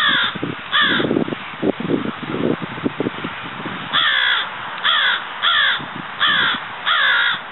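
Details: Florida crow, a subspecies of American crow, giving harsh caws: two at the start, then after a noisy stretch a run of five short caws about one second apart, over steady background noise.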